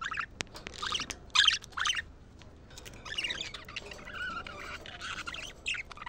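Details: Budgerigars warbling to excite the flock and encourage females to mate: a few loud scratchy squawks at first, then a softer continuous buzzy, rasping chatter with clicks, over a light background hiss.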